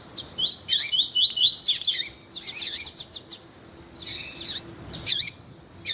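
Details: Double-collared seedeater male song and female call, used to stimulate males; rising whistled notes in a series, dense buzzy bursts, sharp chips, and a faint low steady hum.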